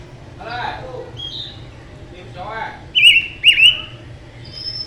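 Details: Mutant silver-eared mesia giving two loud, wavering whistled notes near the end, after a soft muffled noise and a brief faint high whistle.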